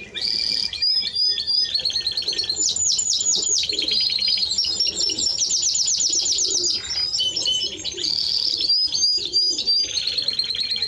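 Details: Timbrado Español canary in continuous full song, high rolling trills and rapid repeated notes changing tempo, with brief sharp clicks, loud and unbroken throughout.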